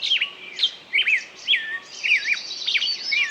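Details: Close bird song of loud, swooping whistled notes with a bouncing rhythm, followed by faster twittering and a soft hiss behind.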